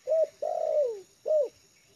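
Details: A spotted dove used as a trained lure, comfortable on yard ground, gives a short bright coo, a long buzzy coo dropping away in pitch, and a final hooked coo, close and clear.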